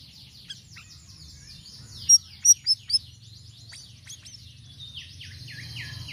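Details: Sirisiri singing varied notes as a lure: soft twittering, then four loud high chirps in quick succession, then a stream of downward-slurred whistles, with a low hum underneath.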